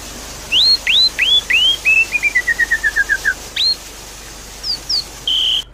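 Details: Javan pied starling lure song: four rising hooked whistles, a descending series of about ten quick short notes, one more hooked whistle, two thin high notes and a final level whistle.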